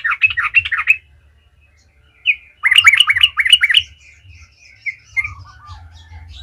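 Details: Lure recording of a yellow-vented bulbul (trucukan) in energetic gacor ngalas song: a burst of jumbled chirps, a pause, then a bright series of five or six looping repeated notes, followed by faint twitters and a low whistled trill.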